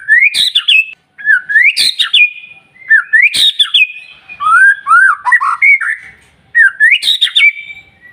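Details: White-rumped shama song for prompting other shamas to sing; repeated phrases of rising whistles, each punctuated by a harsh snap and ending in a level held note, plus a lower wavering warble midway.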